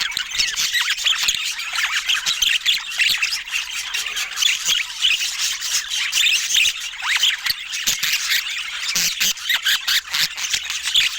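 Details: Budgerigars chattering together in a dense, continuous stream of squeaky warbles, chirps and short squawks, high-pitched and overlapping throughout with no pauses.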